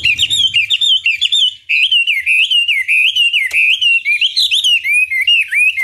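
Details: Chinese hwamei singing as a lure meant to make a rival respond. Continuous, fluent, rich whistling with wavering, looping notes and quick repeated phrases, sustained for the whole stretch.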